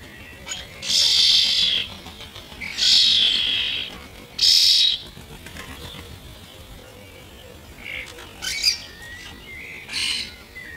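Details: Starlings, mostly the year's first young, fighting over food and slowed to 50% speed: three loud rasping screeches about every two seconds, then a quieter stretch of scattered short, scratchy calls and brief squeaks.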